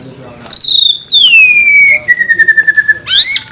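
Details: Murai batu, or white-rumped shama, giving 'gacor' master song with 'isian tembakan' for training birds: a long, clear whistle sliding steadily downward, a pulsed run of rapid notes, and a sharp rising whistle to end.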